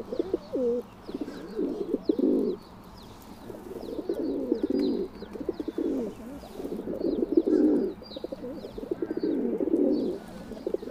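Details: Low gurgling coos from feral pigeons, several drawn-out phrases rising and fading, with steady high twittering of small birds throughout.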